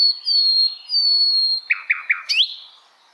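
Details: High, thin whistled notes from an Asian brown flycatcher, two long level tones followed by four quick descending chips and a final upward flick, offered as a tutor song for songbirds.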